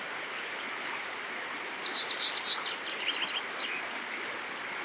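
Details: Common chaffinch (Fringilla coelebs) in Germany, May 2023, singing a bright, quick two-second run of high notes tumbling downward to a short flourish. This is territorial song in a regional Trier dialect, over a steady rushing background.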